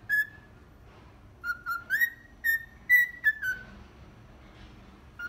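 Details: Pet cockatiel whistling 'Atirei o pau no gato', a Brazilian children's song, imperfectly pitched. A lone note comes first, then after a silence a phrase of rising and falling pure whistles, and one last short note.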